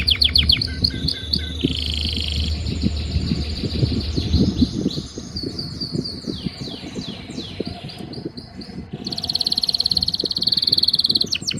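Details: Canary in breeding season singing to a female: varied phrases of trills, swooping sweeps and chattering notes, closing with a loud, fast high trill, over low background rumble.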